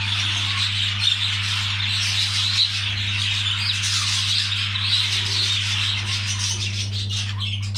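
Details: Budgerigars during mating keep up an unbroken, bright twittering chatter of rapid squeaky notes and brief whistles, with a steady low hum throughout.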